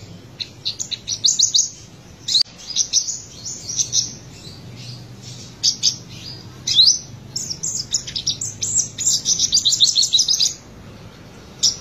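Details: Black-breasted olive-backed sunbird of the buruensis race from Buru, Maluku, singing trotolan: long lively runs of rapid high-pitched chips and whistles, dense trilled bursts broken by brief pauses.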